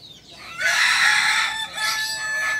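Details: Kukuak Balenggek chicken, a native breed from Solok, West Sumatra, crowing: a loud, harmonic-rich, sustained call that rises after a faint start, runs over a second, dips briefly, then continues in a second strong section.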